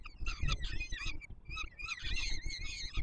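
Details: Peregrine falcon young in Warsaw, Poland, on the Palace of Culture and Science, 7 July 2022, begging as an adult feeds them: jumbled, chattering high cries rising and falling rapidly, several voices overlapping, with a low rumbling background.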